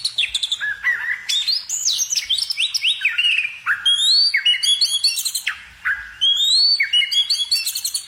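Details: Rich bird song of crisp descending whistled slurs repeated in rapid series, interspersed with high ticking notes and short trills, loud and clear.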